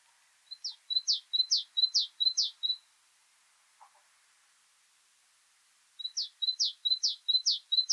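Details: A great tit in spring, a garden bird of Monkstown, Dublin, sings bright, ringing two-note phrases, about five in quick succession, then pauses and starts again. A faint low note sounds in the gap.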